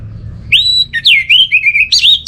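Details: Orange-headed thrush (anis merah) song, played as a lure to prompt caged birds at home into singing: loud, clear whistled phrases, a long level whistle, then rising and falling slurred notes running together, no other sounds.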